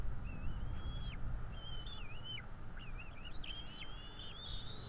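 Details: Bald eagle chicks NE26 and NE27 at a Florida nest begging during feeding, 5 April 2022: quick, jumbled high whistles and wavy chirps, some rising, some looping, with soft low background noise.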